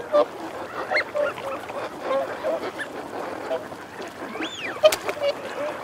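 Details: Wigeon of both sexes calling: scattered short clipped notes and low growling sounds from a group, broken late on by one clear rising-and-falling whistle from a male.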